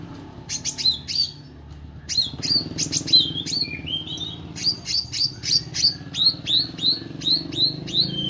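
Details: Meranti bird in full song, delivering long runs of sharp high chirps with hooked, upslurred tails, sometimes broken by lower whistled slurs. A steady low rumble sits beneath.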